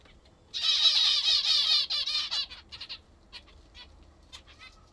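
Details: Several pet zebra finches kept at home, eating their favourite food, give a quick run of loud nasal, harmonic-rich calls for about a second and a half, then scattered shorter chirps and soft clicks.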